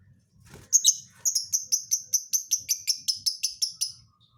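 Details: Lovebird with an unusual, hard-to-predict song: after a short opening note, a loud run of about fifteen sharp, high chirps at a steady quick pace over roughly three seconds.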